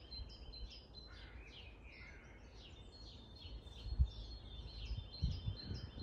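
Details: Grunewald, 20 March 2021: long-tailed tits twittering with high, thin repeated chirps and a few descending notes, overlapping calls throughout, plus low thumps and rustling toward the end.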